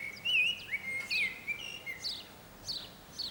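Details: Singing from an antenna in San Martín, Zamudio, Bizkaia, on 18 April 2019, a common blackbird delivers clear, loud whistled warbles that wobble and slide, then trails off into several thin, high twittered notes.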